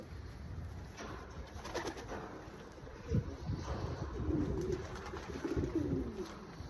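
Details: Breeding pair of pigeons (kabootar) heard in low, soft cooing phrases that swell in the second half, set against steady low background rumble and faint rustling.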